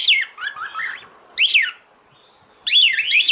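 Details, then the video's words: Cockatiel female calling the male to mate, mixing loud arched whistles with wavering lower warbled notes, a pause, then a long up-and-down whistled phrase. "CALOPSITA FÊMEA CHAMANDO O MACHO PARA NAMORAR."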